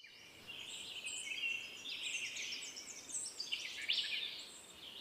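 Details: Ultramarine grosbeak singing in the wild. A high, rambling warble of quick, twittering notes sweeps across the clip, getting louder partway through, with faint background hiss.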